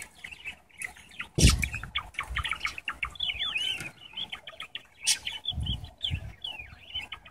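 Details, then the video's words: A male Java sparrow, 4.5 months old, singing outdoors on a nice day: a quick run of chirpy clicks and bell-like, wavering notes, with occasional dull thumps and wing flutters. "The Song of a Java Finch"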